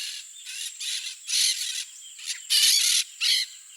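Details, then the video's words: Blaze-winged parakeet (Pyrrhura devillei), tiriba-fogo, free in nature in Brazil, where it is rare and occurs only in Mato Grosso do Sul: harsh, grating screeches in short bursts, about six over four seconds, over a thin high hiss of insects. "BLAZE-WINGED PARAKEET (PYRRHURA DEVILLEI), TIRIBA-FOGO"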